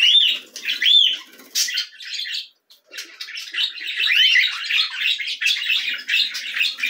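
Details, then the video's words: Young cockatiels calling at feeding time, giving harsh, rising squeaks and a busy stretch of overlapping raspy begging notes after a brief gap, with some faint flapping. "Alimentação para filhotes de Calopsitas."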